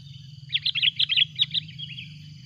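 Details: Sooty-headed bulbul calling excitedly at an arriving rival, a hurried chatter of a dozen short, bright chirping notes tailing off softer, over a continuous high insect-like drone and faint low rumble.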